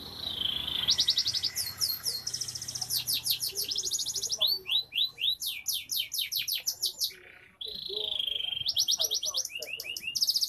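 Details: Canary, an F2 bird in full lively song meant as crowd therapy: fast trills of repeated high sweeping notes, rapid upward slurs and buzzy rolls, with a sustained wavering whistle, other canaries possibly overlapping.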